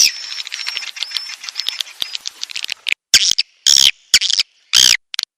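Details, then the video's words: A played swiftlet call for attracting birds: a repeated thin whistled note over a dry crackle, then loud separate rasping chirps with silences between. "Suara Burung Walet untuk Tarik"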